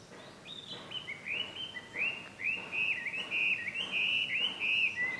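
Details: Chinese hwamei recorded as ambient sound at いきものふれあいの里, Japan, on 5 June 2020: a flowing series of clear whistled phrases, rising and falling slurs repeated nearly every half second, over soft background hiss.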